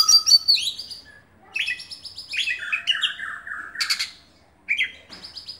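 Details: Oriental magpie-robin, a kept Dewa Air bird, sings buka-bukaan style: clear whistled phrases, a high sliding whistle, then descending stepped trills and chattering runs, a pause, and a final burst of rising notes with a rasp.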